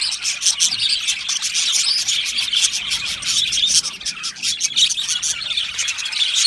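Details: Budgerigars from Australia singing in an aviary colony: rapid, clicking chirps and high trilled tweets repeated in quick succession, forming a lively shared chorus.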